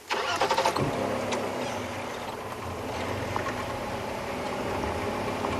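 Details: A vehicle engine starts and then idles steadily, with a few clicks and knocks near the start and no animal calls.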